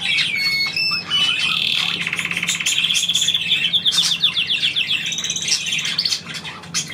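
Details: Pet bird prompted by its owner gives a lively song: a few clear whistles, then long rattling trills at varying pitches, rapid and continuous for about six seconds.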